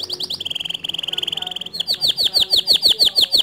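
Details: Male white canary in standard long song, moving through rapid trilled phrases: a fast high rattle, a lower steady buzzing trill, then slower, louder, down-slurred whistled notes repeated about three per second.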